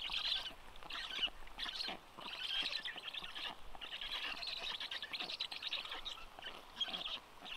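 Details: Wet, cold black stork chicks at their nest in Karula national park during rain, at feeding time with a parent present: rasping, squeaky bursts come in quick succession, swelling and pausing every second or so.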